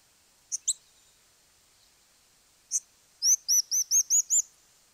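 Crowned Slaty Flycatcher gives very high, thin squeaks: a few scattered notes, then a quick run of six arched, squeaky notes. The background is quiet.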